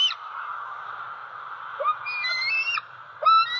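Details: Juvenile bald eagle, a six-month-old female still at her Southwest Florida nest tree in October 2020, begging for breakfast: after a steady hiss, two thin whistled calls break in, the second rising then dropping.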